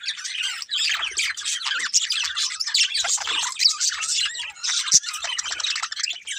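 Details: Budgerigar pair chirping nonstop, a busy stream of squeaky warbles, rapid clicks and short whistled notes with hardly a pause.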